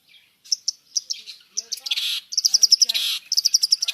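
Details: Long-tailed shrike (cendet) giving a mixed song full of varied fill phrases. Short high chips come first, then a buzzy harsh burst, then quick runs of bright repeated notes broken by further rasping bursts.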